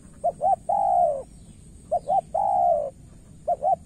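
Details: Cooing of a spotted dove from Cà Mau, Vietnam, where a decoy bird faces an experienced opponent. Two quick notes lead into a drawn-out mellow coo, repeated twice, and then a further pair of short notes begins.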